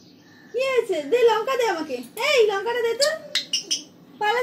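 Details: A pet talking Alexandrine parakeet talks in a run of about six nasal, high-pitched, word-like phrases with rising and falling inflection, broken by a few sharp squeaks.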